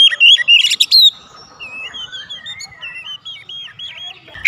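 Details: Lure song of an Oriental magpie-robin for drawing responses from other magpie-robins: a loud burst of whistles and harsh buzzy notes, then a quiet series of short wavy whistled notes repeated roughly every half second.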